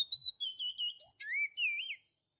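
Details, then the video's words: Kacer lure sound meant to attract birds: softer, drawn-out whistles that glide and waver, then dip into a lower, swooping phrase before stopping. "suara pikat burung kacer"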